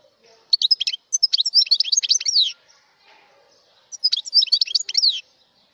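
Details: Mutation European goldfinch singing: two bursts of rapid, bright twittering with sharp, high chirps and trills, each lasting about one to two seconds and separated by a short pause. The background is quiet.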